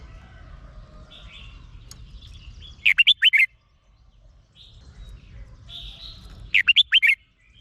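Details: Thai Red-whiskered bulbul singing to excite caged birds: quiet warbling, then two bright bursts of five fast, fluty notes about four seconds apart, over soft low background rumble.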